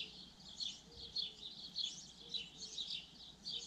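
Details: Common linnet singing a quick, jumbled twitter of high chirps and brief buzzy notes, delivered in rapid bursts, with faint lower whistled notes behind.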